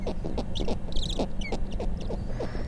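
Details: Snowy Owl female and chicks calling at a nest on Bathurst Island, Canadian Arctic, as the male arrives before feeding: rapid rasping, scratchy notes repeated several times a second, with thin high squeaks over a steady low hum.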